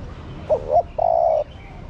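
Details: Female spotted dove calling to stimulate the male: two short, rising hooted notes, then one long, steady, low coo, given once over faint background hum.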